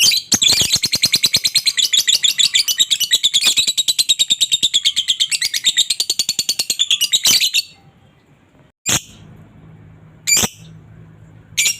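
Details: Lovebird chatter meant to spur other lovebirds into calling. A loud, rapid, harsh chattering runs for about seven seconds as a dense train of buzzy high notes. After it come a few short isolated squawks and a faint low hum.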